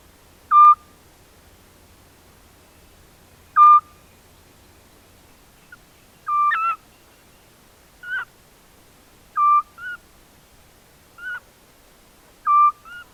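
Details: Eurasian scops owls, a mating pair in the Cavarzere countryside, Venice province, Italy, in spring 2016: repeated mellow whistled notes. Regular calls give way to a quicker exchange of paired higher and lower notes, suggesting two birds calling back and forth.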